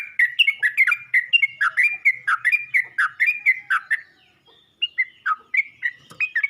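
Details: Yellow-vented bulbul calling its fellows with a fast run of bright, bubbly notes for four seconds, a short silence, then more spaced chirps.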